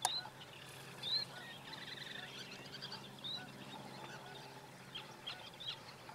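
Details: Semipalmated plover feeding in the marsh at Matt's Landing, Heislerville, New Jersey: a few brief, high, upslurred whistles a second or more apart over a steady murmur of marsh noise and distant waterfowl. Semipalmated Plover.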